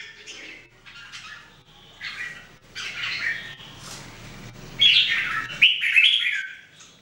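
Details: Red-whiskered Bulbul among three caged birds in daily singing practice, giving chattering then louder fluty whistled phrases that build toward the end.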